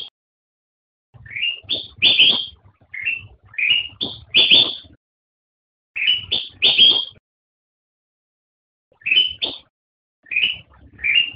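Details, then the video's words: Repeated song phrases of a black-crested bulbul, kutilang emas in Indonesian: each begins with an upward-sliding whistle and climbs into two or three loud, bright notes, with phrases separated by short gaps and one long pause. "Suara Burung Kutilang Emas"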